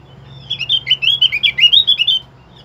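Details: Opior song used as a lure to prompt other caged birds to sing: a rapid chattering run of high, sweet, warbled notes, lasting about two seconds against a quiet background.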